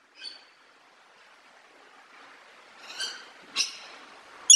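A macaw gives a few short, harsh, raspy squawks spaced over several seconds, with a quiet background hiss between calls.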